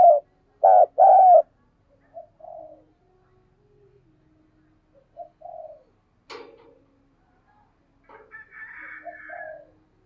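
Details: Decoy spotted dove, captive, giving a spirited urging call to excite wild doves: three loud hollow coos open, then softer scattered coos, a brief sharp click, and a faint higher warbled phrase.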